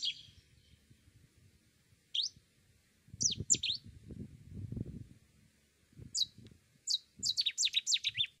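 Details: Cetti's warbler, a discreet, very common but hard-to-see bird, delivering its loud, lively song of accented notes: scattered sharp high notes, then an explosive rapid burst of emphatic chirps at the end, with low rustling noise between.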